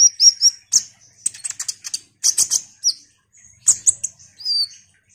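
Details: Ruby-cheeked sunbird in full song, offered to provoke rival sunbirds into singing: rapid clusters of piercing high chirps and ticks, a short silence, then more thin whistles and a rising squeak.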